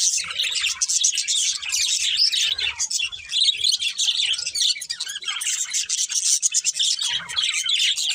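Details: Cute budgies chirping continuously, a rapid high warbling chatter of squeaky overlapping notes, fluctuating in loudness but never stopping.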